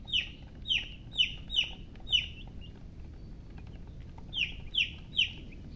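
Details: Baby chicks of a hen peeping: five loud, downward-sliding chirps in quick succession, a pause of nearly two seconds, then three more, over a quiet, low background murmur.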